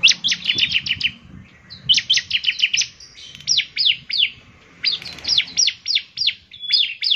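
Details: Ciblek semi, the bar-winged prinia, in full active song said to draw other prinias into singing: repeated phrases of fast, high, clipped downslurred notes, each run about a second, separated by short gaps.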